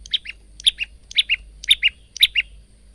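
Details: Male bar-winged prinia in varied song, kept as a tutor recording for cage birds: five paired phrases, each a high bright chirp followed by a lower note, repeated about twice a second.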